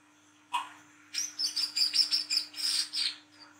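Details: Olive-backed sunbird, speckled wiceh type, chattering in ngriwik style at night as a lure: one short note, then a fast string of very high, sharp chips, roughly eight in two seconds.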